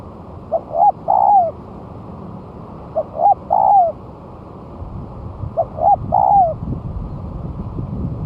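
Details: Spotted dove, one month after moulting and placed down on the ground, calling as a lure: three mellow cooing phrases, each two short rising notes then a longer falling coo, repeated about every two and a half seconds, over low rumbling noise.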